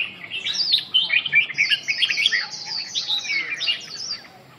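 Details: Red-whiskered bulbul singing a busy run of clear whistled slurs and chattering notes that gradually fade toward the end.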